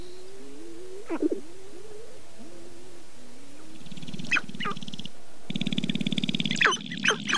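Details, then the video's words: Sharp-tailed grouse in northern Wisconsin's Namekagon Barrens: a series of low, hollow coos gliding slightly upward, one sharp squeal near the start, then the birds break into bursts of clucking chatter. "Sharp-Tailed Grouse"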